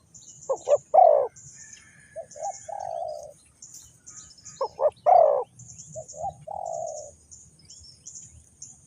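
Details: Trapping decoy spotted dove, Vietnam, giving two full phrases: quick staccato notes rising into a strong burred coo, then softer short coos and a long trailing note, the phrase repeated after a pause, other birds twittering high above.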